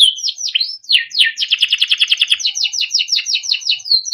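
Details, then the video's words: Small yellow Timbrado canary song for training, beginning with slurred whistled sweeps, then a rapid, steady trill of repeated rolling notes followed by descending chirps and a closing whistle. "Small yellow bird sound - Timbrado canary singing beautiful melodic songs for training"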